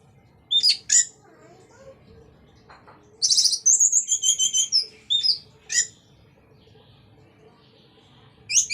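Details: Orange-headed thrush in energetic ngeplong-style song meant to stimulate other thrushes. Sharp high notes come first, then a dense run of whistled trills and short chips spaced by brief silences.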